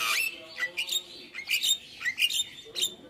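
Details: Javan myna, full 'isian' song: harsh, squawky notes with rising and falling slurred whistles, run together in an uneven, scratchy string.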